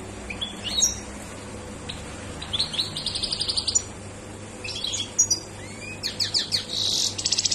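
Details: European goldfinch in a state of high excitement, delivering scattered tinkling twitters and fast buzzy bursts of rapid notes, separated by short pauses, against constant background hum.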